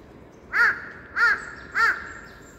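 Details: Crow calling on 1 February 2021: three harsh, loud caws, evenly spaced about 0.6 seconds apart, each short and nasal, with only faint background noise between them.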